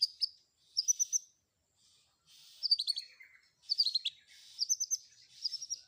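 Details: Long-tailed shrike with a mixed fill-in song: high whistled triplets and descending slurred notes in short bursts separated by brief pauses, over a soft hiss.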